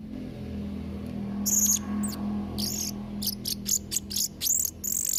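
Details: Blue-crowned hanging parrot song for tutoring young birds: high, sharp chirps and scratchy bursts come in quick series over a steady low hum and background noise.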